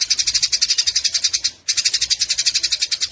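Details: Eurasian tree sparrows chattering while fighting, with quick, grating high chirps in uneven bursts, a short pause midway, then the harsh chatter picking up again.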